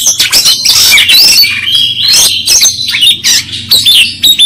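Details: Oriental magpie-robin, tail spread while fighting, sings fast: clear upward-sweeping whistles woven with harsh chatters and rasping notes, continuous with only tiny gaps.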